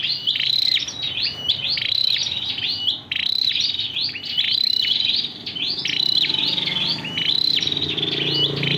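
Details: Cricket-voice ('giọng dế') style song of a red-whiskered bulbul: bright whistled phrases with a short slurred fall, repeated steadily in bursts, with a brief pause near the third second and faint background hiss.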